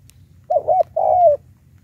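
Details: Lure call of a spotted dove, used against wild birds: a single phrase of a short wavering double coo, then a longer mellow coo sliding gently downward, with soft background rumble.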